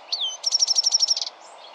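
A European goldfinch gives a high, down-slurred note, then a quick tinkling trill of about ten bright notes, with faint background noise.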